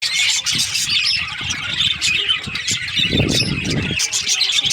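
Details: Several budgerigars in breeding season chirping together in a dense, continuous chatter of high twittering and warbling notes, with low thumps and bumps underneath around the middle.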